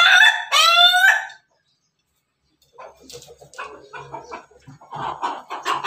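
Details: Tail of a Pelung chicken's crow, loud and harmonic with a drawn-out falling ending, then a pause and a stretch of softer clucking and scattered background knocks.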